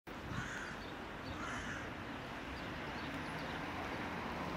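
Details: Yellow-legged gull (Larus michahellis) in Ljubljana, Slovenia, on 12 February 2024, gives two harsh, nasal cawing calls about a second apart over steady rushing background noise, like traffic or wind.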